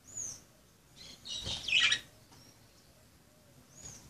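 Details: Budgerigars at play give high, sharp chirps, with a quick burst of scratchy warbling in the middle and thin, short whistled notes at the start and end.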